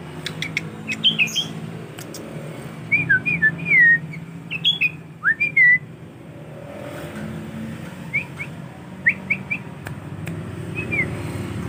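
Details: Tame young male sooty-headed bulbul practising song amid steady low rumbling: scattered bursts of short whistled notes, some sliding down, the later notes sparser and quieter.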